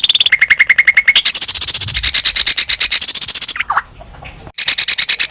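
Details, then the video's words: Greater green leafbird, sung to provoke other birds: quick pulsed trills that jump between pitches, a short falling slurred note, then a brief near-silent gap before the rapid trilling resumes. "pancingan burung cucak ijo respon emosi ikut gacor dorr"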